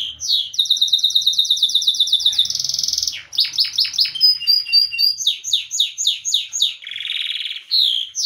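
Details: A yellow Belgian canary kept as a pet sings continuously: a long rapid rattling trill, a piercing sustained note, a series of sharp downslurred chirps, then a buzzing roll, all bright and high, with no background noise.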